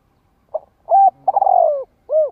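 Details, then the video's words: Spotted dove coo used to provoke decoy males into cooing back: a short low note, then a longer two-part coo, a drawn-out rolling coo, and a final rounded coo, all low and hollow, with a quiet background. "Tiếng chim cu gáy kích bổi mở lên bổi nghe là gáy lại"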